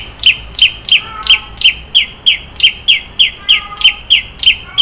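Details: Long-tailed shrike, contest-style 'isian mewah' song: one sharp high note repeated about three times per second in a steady, even series over a faint lower warble.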